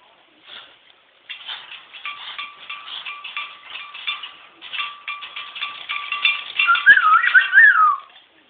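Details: Five-year-old pet Moluccan cockatoo laughing indoors: a rhythmic run of hoarse, breathy ha-ha pulses, about two a second, with a steady tonal hum beneath, rising into a louder squealing warble at the end.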